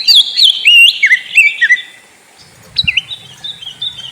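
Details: Oriental magpie-robin (kacer) singing a lure song meant to prompt a sulking bird into voice: clear whistled notes, rising and falling slurs, dipping twice, then a quieter thin whistled phrase after a short pause.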